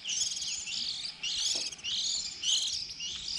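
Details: Early-season juvenile white-eyes, fledging around April, recording meant as a trapping lure: steady, very high, trilling chatter in phrases about a second long, sweeping up and down, with little else heard.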